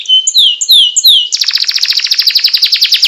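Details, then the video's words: Loper canary song with a long roll, opening with three clear downward-sliding whistles, then breaking into a rapid pulsing trill of repeated downslurred notes. "Suara burung kenari loper ngerol panjang"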